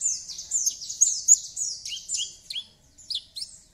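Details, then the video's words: Javan bush lark pouring out fast song as a lure for a bird gone quiet: continuous high, descending slurred notes run together rapidly, ending with a few separate upswept chirps. "Langsung Nyaut Dan Ikut Bunyi Dengan Pancingan Branjangan Gacor Ini || BRANJANGAN MACET IKUT BUNYI"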